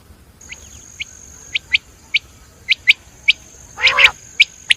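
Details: Single sharp, clipped notes from a common quail repeat irregularly, with one harsher burst near the end, over a steady high-pitched whine.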